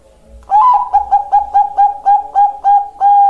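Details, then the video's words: Bangkok-type zebra dove, a female calling a male, in a master and lure recording: a rapid series of about ten short, even coos on one steady pitch, the first slightly higher, indoors. "Master dan Pancingan Perkutut Bangkok"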